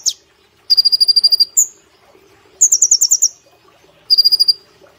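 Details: Brown-throated sunbird kept in a cage, singing vigorously in the 'nembak platuk cililin' style for training: a string of fast, ringing high trills, some lower and some higher in pitch, separated by brief pauses.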